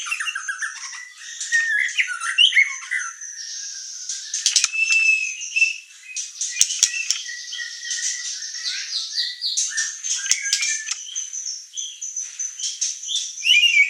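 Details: White-rumped shama (murai batu) singing vigorously, used as an emotion-stirring lure and training master: a dense, continuous run of high whistles, chirps and rapid trills, with a few sharp clicks.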